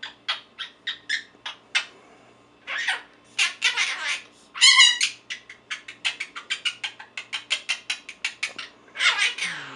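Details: Pet 4-month-old male monk (Quaker) parakeet, talking and saying his own name: rapid, raspy chattering syllables of mimicked speech.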